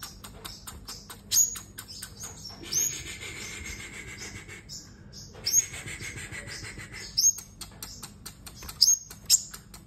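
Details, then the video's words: Competitive sunbird song: bursts of rapid dry clicks alternate with several sharp, high, thin whistled notes, some with quick rising starts, recurring every second or two in places. "Hút Mật 7 Màu Hót Đấu"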